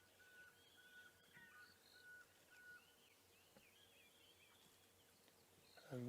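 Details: A tiny pearl-spotted owlet calls from a drainage line behind a giraffe on a sunrise safari drive, 25 October 2016, after overnight rain. It gives a thin series of even whistled notes for about three seconds over small-bird chirps and low engine rumble.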